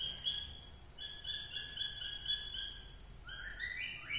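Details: Cockatiel singing melodiously: a series of sustained, steady whistled tones with brief breaks between them, ending in a couple of upward-sliding whistles, over background hiss.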